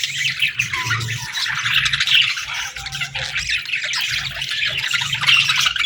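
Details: Chirping of baby budgerigars asking for food, an unbroken mass of squeaky, scratchy calls from several chicks, with some faint low murmuring beneath.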